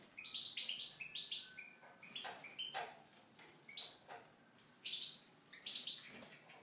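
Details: Tunisian goldfinch in an aviary singing a fast, continuous twittering song of ringing high notes, chirps and buzzy trills, with a louder harsh burst near the end.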